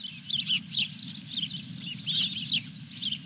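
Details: Osprey at a nest at Dunrovin Ranch with a fish, 23 June 2021: high, thin chirping whistles, each brief, repeated in quick uneven bursts, with sharp clicking knocks and a steady low rumbling hum underneath.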